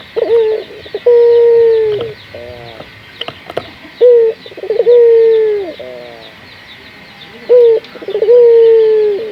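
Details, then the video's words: Local spotted dove, offered as a lure to get other doves calling: phrases of a short coo, a long level drawn-out coo, then a rolling, stuttered series of coos, repeated about every three seconds over a steady background hum. "Pancingan burung puter gacor, melatih burung puter lokal agar cepat gacor"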